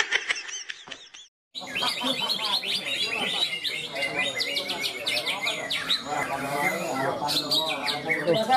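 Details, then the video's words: Contest cucak ijo (greater green leafbird) class at a singing competition beside a field in Malinau, North Kalimantan; after a short pause, a continuous torrent of fast chirps, whistled notes and trills from several birds, with people talking faintly. "Lomba burung berkicau Ronggolawe KALTARA kelas Cucak ijo."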